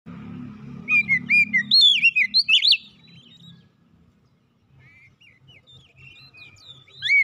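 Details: Oriental magpie-robin song played as therapy to help a stressed bird recover and sing; a burst of loud, sweet whistled notes, some rising and some sharply slurred, then a quiet gap before more thin whistles, with a low hum beneath.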